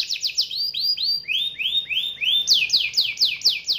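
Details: Young canary singing a rolling, shooting song: repeated downward-sweeping high notes in fast series, first high, then lower phrases around the middle, then high again, about two notes per second in each run.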